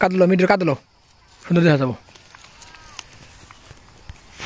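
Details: A pair of green Rose-ringed Parakeets (Psittacula krameri), pet talking birds in Bangladesh, January 2024. One gives two short, nasal, speech-like words like a drawn-out 'meow', about a second apart, then near silence with faint clicks.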